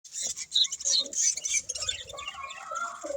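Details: Budgerigars chirping: a dense run of rapid, high twittering notes and short whistles, with softer warbling chatter lower down, running continuously with brief dips.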